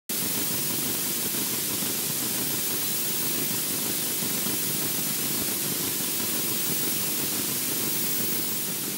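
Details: Steady loud hiss of static fills the whole recording, with no animal voice audible.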